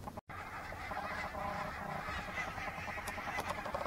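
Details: A flock of geese flying in to land at Minsmere, giving a dense, continuous chorus of overlapping honking calls. Many birds call at once with no gaps, over a steady rushing background.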